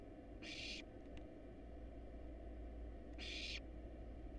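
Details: Begging from wild barn owl nestlings in a nest box as they are fed: two long, noisy hissing screeches about three seconds apart, above a continuous low hum.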